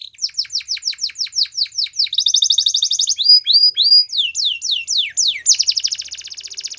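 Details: Canary song of rapid descending whistled sweeps repeated about three times a second, switching to a dense buzzy trill, then rising slurred notes and more falling sweeps, all high-pitched and continuous.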